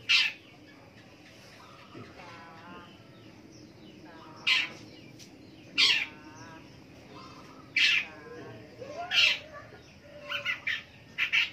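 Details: Long-tailed shrike heard in the morning, loud scratchy rasps spaced a second or two apart, mixed with softer buzzy rattling notes, ending in a quick cluster of harsh bursts.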